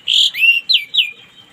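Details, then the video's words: Orange-headed thrush singing in the morning as therapy for birds that stay silent: a loud, pure whistle followed by three downward-slurred notes fading out. "terapi burung anis merah macet di pagi hari biar cepat ngplong"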